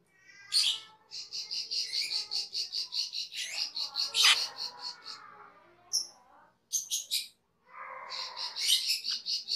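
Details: Cucak keling, a cage bird, sings a training master: long rapid runs of buzzy repeated chips mixed with harsh rasps, squeaks and brief pauses.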